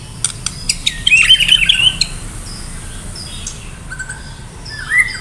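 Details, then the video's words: White-rumped shama from Medan, full song for a singing contest: sharp clicks, then a burst of rapid chattering whistles, quieter scattered notes and a final rising whistle. "murai batu medan gacor siap ikut lomba"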